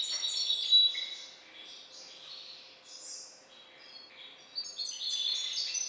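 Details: A captive-bred hybrid finch from a Balkan goldfinch (C. c. balcanica) line sings a rambling, high twittering song of quick tinkling and buzzy notes without pause, over a faint steady hum.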